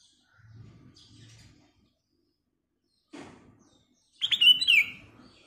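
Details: Black-crested bulbul, described as a lively singer with a crystal-clear voice, used as a lure recording; faint low rumbling early, then a loud burst of quick whistled, warbling notes near the end.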